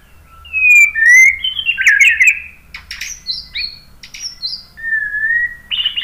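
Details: Varied white-rumped shama song played to prompt other birds to reply: rich slurred whistles, short harsh chattering bursts and high clear notes alternate in rapid succession, ending with a steady whistle and a scratchy flourish.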